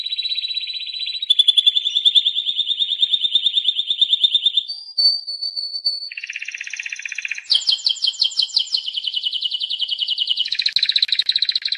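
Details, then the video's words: Timbrado canary singing a long, varied series of trills and rolls, each held for one to three seconds before changing pitch. Some are buzzy, some metallic, and one is a brief pure whistle. "Canto Canario Timbrado"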